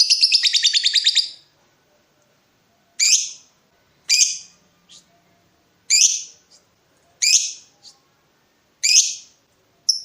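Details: Lovebird provoking a rival in breeding mood: a short rapid chattering burst, then sharp descending screechy chirps repeated every second or so, with faint softer notes between.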